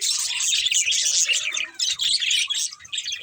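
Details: Lively budgie chatter, shrill twittering and scratchy squawks tightly packed, a couple of short pauses toward the end, with faint low rumbling underneath.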